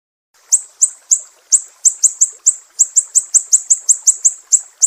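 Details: A master recording for teaching songbirds holds a mangrove whistler from Sumatra in sharp 'besetan' mode: after a short silence, high, stabbing chips run faster and faster, about three per second.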